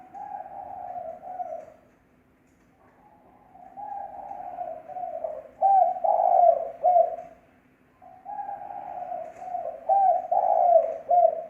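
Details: Clean recording of a spotted dove lure call: soft drawn-out coos building into clusters of louder, throaty cooing notes, with phrases repeated after short silences roughly every five to six seconds.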